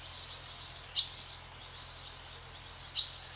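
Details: Barn swallows skimming above a farm; two crisp, high chirps about two seconds apart, with softer twittering between them and a steady low hum.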